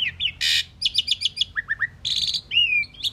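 A pied myna's varied song: harsh rasping bursts mixed with quick chirp runs, falling notes and a drawn-out whistle, all high-pitched.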